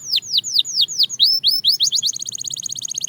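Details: Belgian canary song recorded for singing training: slow, separate downward-arched whistles that quicken steadily into a fast, even high trill.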